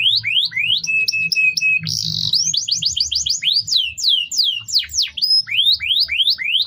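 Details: Canary singing a master song meant to train other birds: rising slurred notes, a level whistle, a brief buzzy burst, a rapid trill of repeated notes, then bold swooping whistles.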